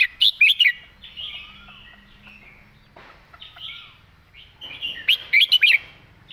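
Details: Red-whiskered bulbul in its clear 'mae bot' song style. Loud four-note bubbly whistle bursts open and close the passage, with soft warbling and faint gliding whistles from other birds between them.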